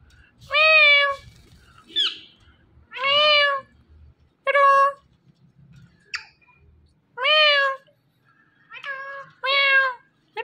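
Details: Indian ringneck parakeet talking indoors, giving loud, harsh, harmonic vocal bursts with bending pitch. About seven separate utterances spread over ten seconds at uneven gaps, with short quieter sounds between them and faint low background noise.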